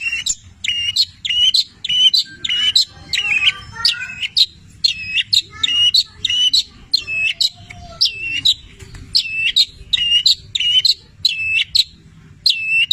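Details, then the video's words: Long-tailed shrike of the 'petir' type, sung as a tutor song packed with imitations of labet and canary phrases: bright, high U-shaped notes repeated in quick pairs, a steady rhythmic string with faint low background hum. "Masteran Cendet Petir gacor, Full isian mewah Labet dan kenari Tonjolan Cililin"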